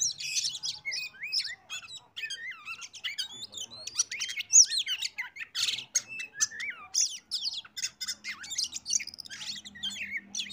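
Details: Oriental magpie-robin song used as a lure to get other birds singing: a dense, varied stream of sharp whistles, rising and falling slurs and scratchy chattering notes, nearly continuous, with a faint low hum.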